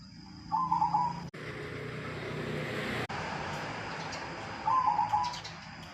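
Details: Silver-variety zebra dove, a long-kept local bird, uttering two short rolling coo phrases at the start and end, with a loud stretch of rushing broadband noise in between.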